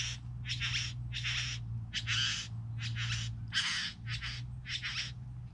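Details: Rasping, churring calls from three bowerbirds, about nine broad noisy bursts in quick irregular succession, each roughly half a second long, with a constant low hum underneath.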